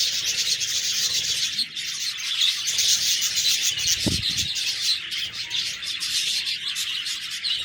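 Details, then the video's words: Budgies chatter in a thick mix of shrill chirps and warbles; a dull low thump sounds about halfway through. "Budgies Birds talking sound Birds chirping sounds"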